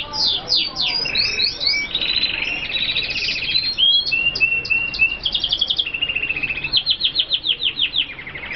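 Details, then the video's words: F1 hooded siskins from Colombia singing a long, varied twitter: quick descending chirps, buzzy trills and clipped notes, ending in a regular pulsing series of rapid notes. "Kaputzensijs F1 (Sound) Guadeloupe 1, ( sound of the kaputzensijs birds)"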